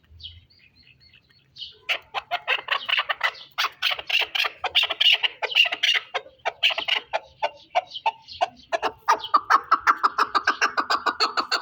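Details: Chukar from the Pamir starting after a short quiet moment, then a long, fast series of rhythmic clucking chuk notes that becomes lower and more even toward the end.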